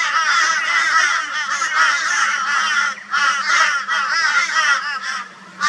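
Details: Loud raucous calling from a flock of crows harassing a barn owl in Brisbane, Australia, 22 February 2022: rough, wavering caws in quick overlapping bursts, separated by short pauses.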